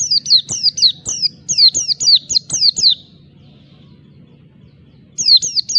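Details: Oriental white-eye in ngalas song meant to provoke rivals: a three-second string of sharp, high, falling whistles, then silence, then the same fast slurred notes resuming, over a steady low hum.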